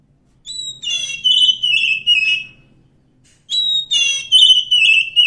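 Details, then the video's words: Wild Oriental magpie-robin delivering two song phrases, each opening with a long steady whistle followed by warbled notes that drift lower, with a pause of about a second between them. "suara asli kacer hutan"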